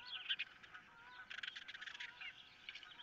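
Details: Osprey at a nest on 15 April 2023, amid a squabble over a fish and with an intruder of some kind in the area; sharp, high chirping notes burst out at the start and again near the end, over layered calling and a steady background hum.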